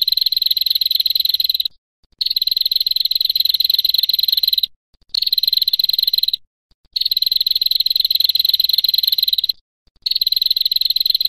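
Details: Long 'ngetir' trills from a female prinia. Fast, high-pitched, rattling ticks run in five sustained bursts of one to three seconds each, separated by brief pauses, on a clean quiet background.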